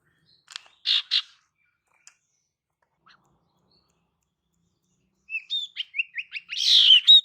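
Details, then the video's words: Female Ashy Tailorbird calling for males: two loud buzzy notes, a long quiet gap, then a fast run of sharp rising chips leading into a harsh rasping burst. "Kicauan SIRTU BETINA Untuk PIKAT SIRTU JANTAN"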